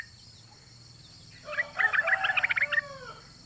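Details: Female Yellow-vented Bulbul calling the male. After a quiet start, a bubbly burst of quick chirpy notes lasts about a second and a half, with some short slurred whistles underneath. A low steady hum continues throughout.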